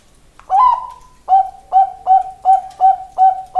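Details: Zebra dove of the Bangkok perkutut line giving its cooing song, one drawn-out introductory note then six brief, evenly spaced hollow coos in a steady rhythm, nothing else audible.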